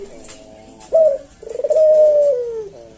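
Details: One slow senggang phrase from a caged puter jawa collared dove: a sudden short note, a pause, then a long, even coo easing lower in pitch before fading.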